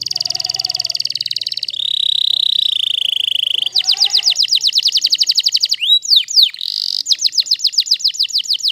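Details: Waterslager canary song: a pulsed high roll, a lower sustained rolling tone, then rapid downslurred repeated notes, a pair of sweeping loud whistles, and a final fast series of curved notes.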